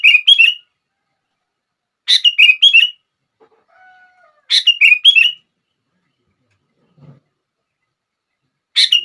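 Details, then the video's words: Sooty-headed bulbul song to provoke other bulbuls: brief liquid phrases of three or four dropping notes, repeated about every two and a half seconds against silence. "Kutilang Lain gak bisa diam saat mendengar suara ini!!!"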